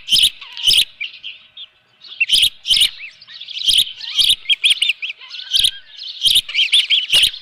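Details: Osprey at a ranch nest on 24 June 2018 at 7:32 AM with a live fish: rapid series of high, arched whistled chirps, broken by sharp broadband knocks at the nest and a short quiet gap near two seconds.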